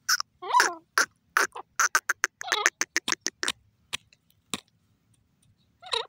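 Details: A francolin (dakni teetar) gives loud, harsh, clipped notes in quick irregular bursts, some with ringing overtones, then pauses before a final rasping note.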